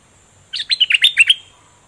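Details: After brief silence, a caged, fully feathered bulbul gives a quick phrase of about seven loud, rolling warbled notes, each slurring up and down, sung in the pure double style.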